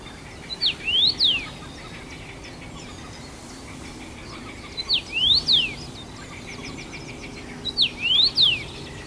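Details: Common rosefinch, a singing first-summer male in Bazel, Belgium, June 2015, returning to the same branch: three short whistled phrases of up-and-down slurred notes, about every three and a half seconds, over steady background hiss.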